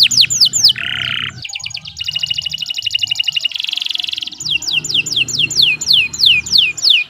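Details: Canary song used as a master recording for training other birds, a long continuous performance of varied phrases: buzzy low trill, rapid metallic rattles, then a series of sharp descending whistled notes repeated about twice per second, with faint low background hum.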